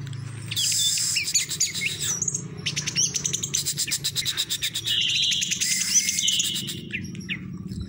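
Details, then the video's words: Caged orange-headed thrush singing in the prized teler doyong style: a dense, rapid run of high chirps, clicking trills and slurred whistles, with fast stuttering notes packed around four per second. "Anis Merah Teler Doyong"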